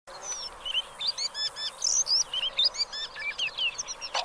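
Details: Black lark singing: a rapid, continuous run of short, varied twittering and whistled notes, some sliding up or down, delivered several per second in quick bursts.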